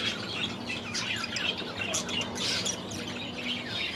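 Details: Last year's young budgies in their new aviary, first days after release, chirping in quick, high, overlapping twitters against a steady background hum and rustle.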